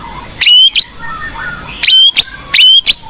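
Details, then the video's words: Blorok-type white-rumped shama singing energetically, used as a lure song for training young shamas. Loud paired bursts of bright whistles with a clear upslurred note recur three times, separated by soft low warbles. "Murai Blorok Gacor Bongkar isian Pancingan Burung Murai Batu Bahan"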